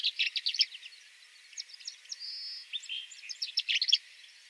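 Tree Swallow twittering: quick bursts of high, liquid chirps with a brief clear whistle midway, then a denser run of chirps near the end.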